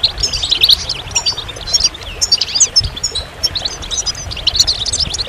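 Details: Goldfinch song in scattered bursts of high twittering chirps and trills, separated by brief gaps, over a faint low hum.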